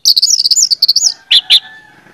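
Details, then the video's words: Orange-headed thrush song used as a lure recording to prompt other birds to sing: a fast, rich run of high, rapid warbled notes, then two louder separate whistled phrases, over a faint steady background hum. "pancingan anis merah bikin cepat ngeplong"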